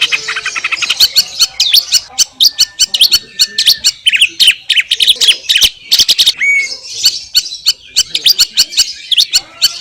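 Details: Greater green leafbird song recorded directly in the wild in Indonesia: rapid, high, crackling series of sharp ticking notes and twitters, very dense and continuous, with a brief clear whistle near the middle.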